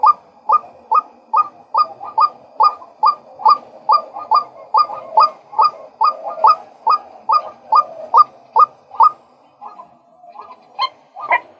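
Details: Male White-breasted waterhen calling in a long even run of abrupt, rising notes, roughly two per second, that falters near the end into a few scattered, uneven notes; no other sounds stand out.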